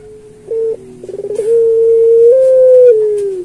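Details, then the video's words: Pelung-type turtle dove singing a master song for other pelung doves: a soft low note, a short higher note, a stuttering trill, then a long, smooth coo that steps slightly up before falling away. "Suara Burung Puter Pelung Masteran"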